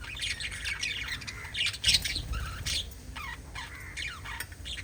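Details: Pet budgerigars, five birds, keep up a lively, chattering mix of squawks, scratchy twitters and short, falling whistled notes, with a brief louder burst about midway.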